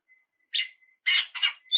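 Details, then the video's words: Oriental magpie-robin in song used to provoke rival birds into answering, with a thin steady whistle, then harsh buzzy chattering bursts around 1 and 1.4 seconds and a high clear note at the end. "KICAU PANCINGAN SUARA KACER GACOR NGEPLONG MEMANCING LAWAN UNTUK BUNYI"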